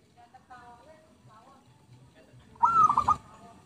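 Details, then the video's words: Single loud rolling coo of a zebra dove near the end of a lure recording, preceded by faint, softer whistled notes. "MP3 Pikat Merbuk/Perkutut"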